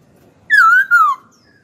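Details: Kept hwamei singing readily: one loud, clear whistled phrase of two slurred notes, the first wavering, the second gliding downward, about half a second overall, in a quiet room.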